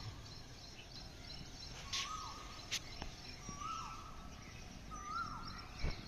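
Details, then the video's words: Asian koel in the morning giving three fainter notes, each level then falling away, spaced about 1.5 seconds apart. Brief clicks and a steady outdoor hiss behind them. "Sound of Koyal morning time"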